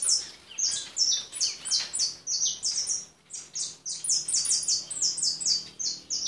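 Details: European goldfinch, a white individual, singing a rapid run of bright twittering notes high in pitch, with short slurred phrases tumbling together almost continuously and one brief pause near the middle.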